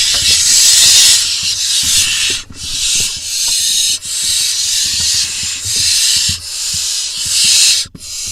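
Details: Barn owl nestlings in a nest box in Israel on 21 June 2021, calling as the male brings a vole that one chick gobbles up; long, loud, harsh hissing screeches follow one another almost without pause.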